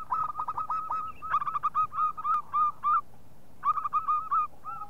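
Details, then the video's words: Local zebra dove (perkutut lokal) call used as a lure, rapid stuttering staccato coos, mid-pitched and slightly rising, with brief pauses between phrases over a quiet background hum. "Panggilan Perkutut Lokal"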